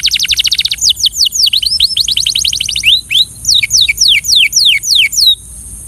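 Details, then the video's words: Belgian canary singing for training: a fast rattling trill, then varied high whistled phrases of steeply falling and curving notes, some paired, delivered in quick rhythmic bursts, ending in a soft downward slur. "The Best Belgian Canary Singing Sound"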